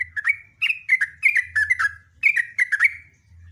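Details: Loud, lively sooty-headed bulbul song made of repeated clusters of quick, falling whistled chirps in a long rapid sequence, with a faint hum in the background.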